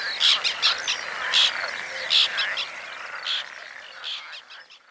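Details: Rasping calls of white-winged terns at their second breeding in Oostpolder, 2015; strong harsh notes in the first half that thin out and fade toward the end.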